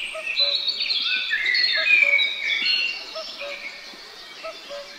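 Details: Pair of great spotted woodpeckers looking after their young. Loud, high, buzzy chatter peaks early then fades, with a faint low double hoot from another bird recurring in the background.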